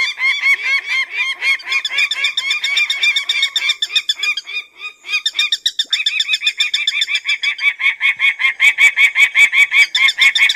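A peregrine falcon calls in a harsh, nasal series of rapid cacking notes, several per second, that slows into steadier, evenly spaced cries toward the end.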